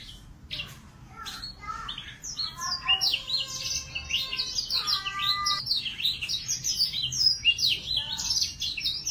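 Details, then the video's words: A young male F1 Yorkshire canary learning to sing practises a fast, rambling warble of high chirps and whistles, broken by a buzzy rolled trill. "kenari f1 yorkshire anakan belajar gacor"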